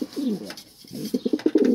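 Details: Racing pigeon indoors giving a short, muffled coo, followed by a quick series of clipped, stuttering low notes, with a faint room echo and a woman's quiet French voice nearby.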